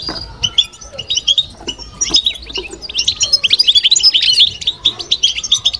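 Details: European goldfinch song in the batbata style, played so that another goldfinch will sing along. Rapid, liquid twittering and buzzy trills, sparse and broken at first, then a dense, continuous chattering burst through the second half.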